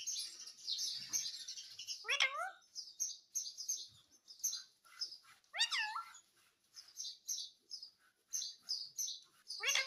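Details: Indian ringneck parrot vocalising; steady high twittering chirps throughout, broken by three brief, loud, warbling voice-like phrases about every two to three seconds.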